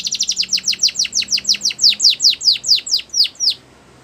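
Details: Training song of a Belgian canary for young birds: a steady series of bright, downward-sweeping notes repeated several times a second, slowing slightly, then stopping abruptly into quiet.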